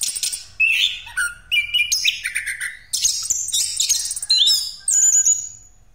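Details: An orange-headed thrush in full breeding condition, used as a lure to prompt other birds, pours out a continuous, varied song of high whistles, sweet slurred notes and quick buzzy trills, phrase after phrase without pause.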